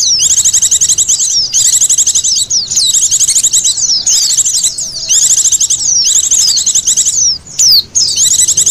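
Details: High, busy Oriental white-eye calling used as a lure, rapid chirp trills in repeated bursts about every one to one and a half seconds, with short gaps.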